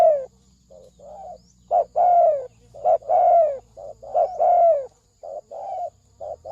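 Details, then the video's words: Spotted dove in 'thổ sấm đồng' lure style to attract males and females: a run of softer and louder coos, short notes paired with long descending ones, repeated steadily. "Tiếng chim cu gáy thổ sấm đồng gù gáy kích trống kích mái kích bổi"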